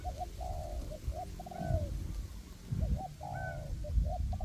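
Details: Trapping decoy spotted dove in forest, repeating phrases of short hoots and a sustained, slightly descending coo; faint higher whistles and heavy low-frequency background noise.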